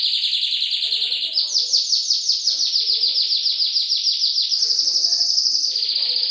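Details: Champion canary song with calming trickling water: a low rolling trill jumps to a higher series of rapid downward-slurred notes, then shifts again to a steady high roll near the end.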